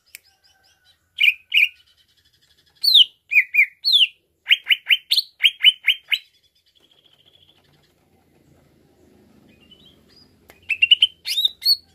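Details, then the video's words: Greater green leafbird, provoked into excited song: clusters of sharp chirps and downslurred whistles in two long runs, a quiet gap with faint low rumbling, then a final short burst of chirping. "Merangsang Cucak Ijo Cepat Naik emosinya"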